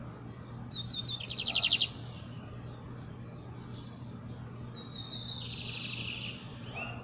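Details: Lined seedeater singing at dawn: a fast, buzzy high trill of rapid repeated notes near the start, a second trill burst later, with a steady low hum beneath.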